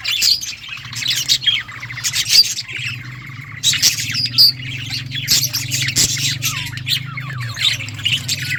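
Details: Many budgerigars chattering in a colony, a steady mix of high warbled chirps and short squawks, with a low hum running beneath most of the recording.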